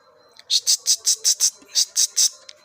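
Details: Tame pied bushchat with a rapid series of about nine bright, sharp high notes, two short bursts separated by a brief pause, loud and clean against a quiet background.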